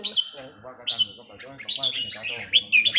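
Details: Caged red-whiskered bulbul during a practice session on a free day, giving short bright whistled phrases, some rising and some slurred, in quick bursts, while a man talks throughout underneath.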